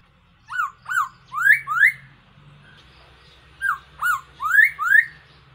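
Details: Trapping decoy call of a Black-throated laughingthrush: two groups of four loud whistles, each group opening with short falling notes and ending in longer upward slurs, over a faint low hum.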